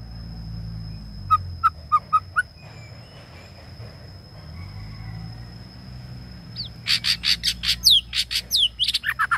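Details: Long song of a male white-rumped shama kept as a decoy: four sharp spaced notes, a pause over low rumbling background, then a dense flurry of rapid buzzy and whistled notes, with a continuous thin high whine.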